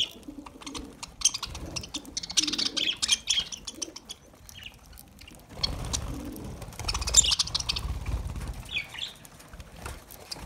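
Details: Lovebirds eating green food as summer food, giving bursts of high, scratchy chirps and squeaks in clusters, mixed with lower soft murmuring notes and rustling, feeding noises.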